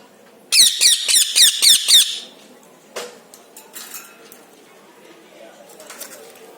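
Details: Pet parrot calling indoors: a burst of about seven loud, harsh, high squawks in quick even succession over one and a half seconds, followed by quiet room noise with faint clicks.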